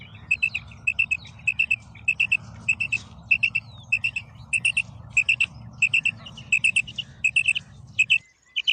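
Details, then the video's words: Female quail calling in quick clipped pairs and triplets of high notes, rhythmically repeated over a constant low background hum that cuts out at the close. "Female Batair Sound / مادہ بٹیر کی مختلف قسم کی کرک"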